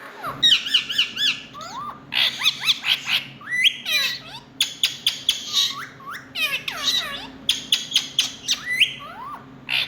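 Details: Indian ringneck parakeet giving loud, harsh squawks and screeches in rapid clusters, with sharp rising and falling shrieks repeated throughout, and a low hum underneath.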